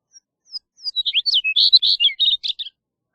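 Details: Chestnut-collared Longspur song: a rapid, tumbling warble of high sweet notes opening with a few thin slurred whistles, then a dense run of about fifteen jumbled phrases over two seconds, fading at the end; background quiet.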